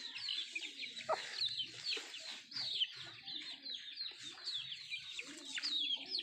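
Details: Nattu kozhi eating food: many rapid, high, falling peeps in an unbroken chorus, punctuated by occasional sharp pecking taps and a faint lower rumble.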